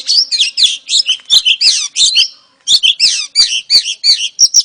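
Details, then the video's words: Oriental magpie-robin, a female calling to lure a male: quick stuttering strings of high chirps and whistled notes, a brief silence midway, then a steady run of similar chirps repeated about every quarter second. "KICAU KACER BETINA AMPUH PANCING KACER JANTAN LANGSUNG GACOR"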